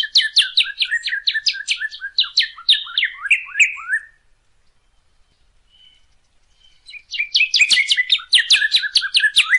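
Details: Northern cardinal song meant for teaching birds to sing: a fast, crowded series of sharp high notes lasting four seconds, a pause with one faint whistle, then another rapid burst.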